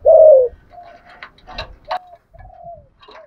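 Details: Spotted dove fighting coo in the 'thổ' voice style. One loud, throaty, downward-sliding coo opens the recording, followed by faint, thin hooting notes and scattered clicks and rustling.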